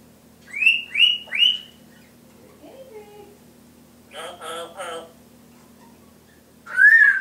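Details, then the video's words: Pet Timneh grey parrot indoors imitating household sounds: three rising whistled notes, a low murmur, a burst of chattering talk-like syllables, then a loud high squawk, with a steady low hum. "twenty sounds"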